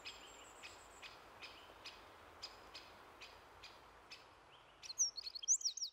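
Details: Eurasian wren singing while perched right in front of the camera, unafraid: dry ticking notes about twice a second, then a loud burst of rapid, very high trilling and warbling near the end, over soft hiss.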